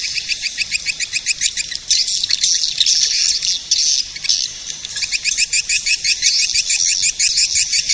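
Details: Swiftlet attraction call of the edible-nest swiftlet: rapid trains of sharp, clicking chirps in pulsing bursts, interrupted by stretches of denser, louder twittering.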